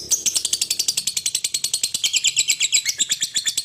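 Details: Lovebird chattering: a fast, unbroken string of sharp, high, chirping notes, about eight every second, in a steady pulsing rhythm.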